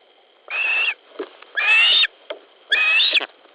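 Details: Osprey at a nest in Latvia on 10 July 2013 at 19:10, squabbling as one bird tries to take a fish from another: three loud, harsh, squealing calls, each about half a second long, over a steady high background hum.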